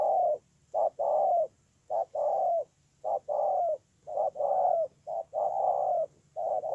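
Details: Spotted dove recorded in Tu Mơ Rông, Kon Tum, on 10/1/2018, cooing in repeated phrases: a short soft note followed by a longer hollow coo that falls at its end, roughly once a second; quiet background.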